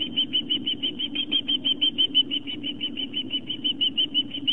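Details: Osprey at a live-camera nest on Long Island, New York, on 11 September 2007 at 4:55 pm, as the male delivers fish to the family: steady, fast series of high, piping chirps, about three per second, over a low background hum.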